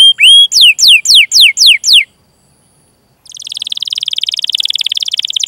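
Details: Canary song, a rolling 'cuit cuit' lure used to stimulate young, untrained or silent canaries into singing. Eight clear descending whistled notes are followed by a pause, then a fast, buzzy, even trill that builds in loudness.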